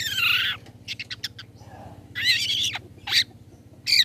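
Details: Long-tailed shrike 'toet toet' call, played as a lure to make other shrikes respond: a loud harsh descending screech, a few quick clicks, then two more grating rasping bursts and a final harsh note, over a faint low hum.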